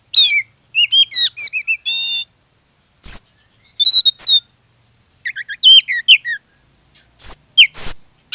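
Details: Oriental magpie-robin delivering energetic lure song to get other magpie-robins singing; fast ladders of whistled notes, a buzzy stuttered series, sliding whistles and scratchy high bursts.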